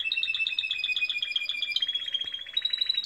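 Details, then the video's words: Canaries singing in the morning: a fast, even trill of bright pulsed notes held steady, then shifting to a slightly higher rolling tour near the end. "Beautiful canaries singing in the morning"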